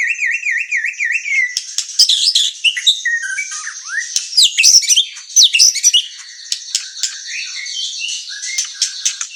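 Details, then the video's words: White-rumped shama in murai batu training song for provoking: opens with a quick wavering trill of rising and falling whistles, then varied chattering, slurred whistles and sharp clicks. "Pancingan emosi dan masteran murai batu gacor | shama bird singing"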